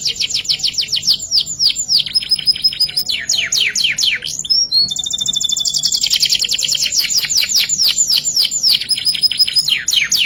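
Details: Canary delivering full 'isian' song, 'ngerek' style, for masteran training: dense high trills and rapid downslurred notes, a brief pause, then a sustained fast rattling trill running on with swooping notes.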